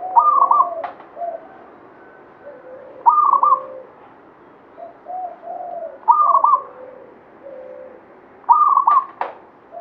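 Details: Local Banyumili katuranggan zebra dove repeating its rapid, stuttering cooed phrase four times, roughly every three seconds, with quieter low coos from other doves in between and a brief click after some phrases.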